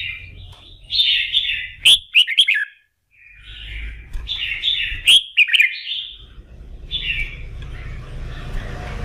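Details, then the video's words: Morning practice song of a red-whiskered bulbul, sung to stir it up for contests: two bursts of lively whistled warbling split by a brief pause, sharp clicks within the phrases, a low rumbling hum and hiss behind. "chào mào hót kích bổi | kích lửa cho chim thi đấu"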